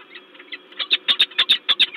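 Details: A loudly calling peregrine falcon at LOTOS, Gdańsk, Poland, on 10 February 2023 gives a rapid series of harsh, grating notes, about six or seven per second, building in loudness.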